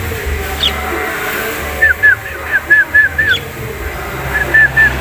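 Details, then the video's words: Javan myna (jalak kebo): a series of short, clear, downslurred whistled notes, about a dozen in under four seconds, repeated in a steady rhythm and broken by a short pause, over a low background hum. "Jalak Kebo Birds"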